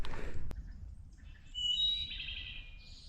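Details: A Wood Thrush, identified with Merlin, sings at a trailside stop on the Appalachian Trail. It gives a single flute-like phrase of pure high whistles that breaks into a shimmering trill, after low rumbling noise and a sharp knock.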